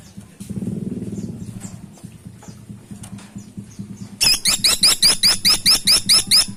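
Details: Freckle-breasted woodpecker used for luring: a low humming noise early, quiet chips, then a loud stream of about twelve crisp, high, down-sweeping notes repeated rapidly to the end.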